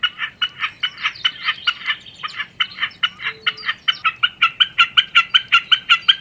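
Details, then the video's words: {'caption': 'Common snipe delivering its rhythmic song: repeated hard, ticking double notes, briefly uneven near the start, then settling into a steady, quickening, increasingly loud series.'} "田鷸(扇尾沙錐)/Common Snipe(Gallinago gallinago)singing"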